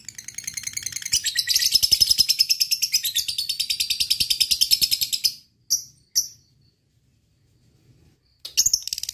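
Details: Fighter lovebird in a long ngekek rattle toward a rival: a dense, fast, high buzzing chatter builds and runs for about four seconds, then two short bursts, a silence, and a final burst.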